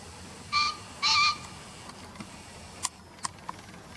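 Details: Green pheasant from a field-guide recording sounds a quick harsh note and a longer ringing one, then sharp clicks follow in the quiet afterwards.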